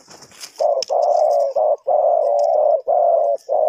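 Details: Trapping lure of a spotted dove, Ninh Thuận, Vietnam: a near-continuous run of loud, low, hollow coo notes, each about half a second long, after a moment of rustling and faint high chirps.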